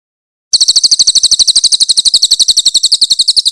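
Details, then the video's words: Master recording for tutoring songbirds, with a grey-headed canary-flycatcher giving loud, clear song with rough 'tembakan' shots. After a brief silence, a rapid, even series of piercing high notes runs without pause to the end. "AUDIO MASTER BURUNG CILILIN GACOR FULL TEMBAKAN KASAR & SUARA JERNIH"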